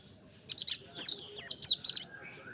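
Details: Mountain white-eye in song-training audio, singing energetically in four quick bursts of high, squeaky twitters, each made of several rapid chirps. A faint lower whistle ends the passage over a quiet background.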